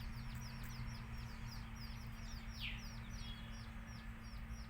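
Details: A brood of country chicks chirps busily, thin falling peeps crowding together, one louder sweeping note midway, with a droning low hum behind.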